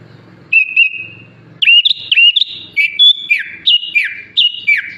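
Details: Sooty-headed bulbul with a song mixing in ciblek, cucak ijo and jalak suren phrases; two short whistles, a pause, then a chain of clear slurred notes falling in pitch, over a low hum.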